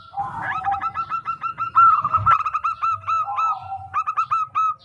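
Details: Local zebra dove giving a fast rolling coo song as a lure: dense string of short hooked notes, with a lower coo line in the middle.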